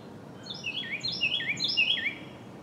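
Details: A Carolina wren in dense forest near Pigeon Forge, Tennessee, gives quick, rolling, high whistled notes, about four to five a second and slurred downward, over a soft steady outdoor hiss.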